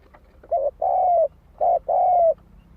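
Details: Spotted dove cooing with a lure purpose: two phrases, each a short low coo followed by a longer, slightly falling drawn-out coo, clean against faint low background hum.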